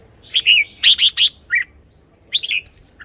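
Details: Red-whiskered bulbul, a call-up recording for decoying or to stir caged birds: a brisk phrase of clear whistled notes with a sharp accented middle, then a shorter two-note reply, over faint low hum.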